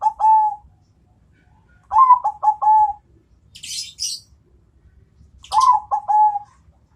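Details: Bangkok-type zebra dove answering a rival: one lone coo, then two phrases of three to four rapid coos ending in a drawn note, with a burst of high chirping between.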